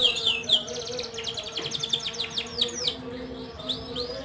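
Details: Young domestic canaries singing together as a lure to start reluctant birds singing: rapid, overlapping chirps and sweeping whistled phrases high in pitch, continuous and busy throughout, with a faint low hum in the background.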